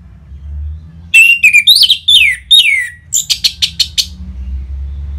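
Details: Orange-headed thrush, used to make caged birds sing in response: a rich phrase of sweeping, descending whistles followed by a fast series of sharp, chattering notes, over a faint low hum.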